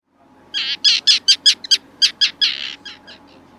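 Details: A tropicbird gives a shrill, rattling series of about a dozen harsh screeching notes, quick and evenly spaced, fading at the end.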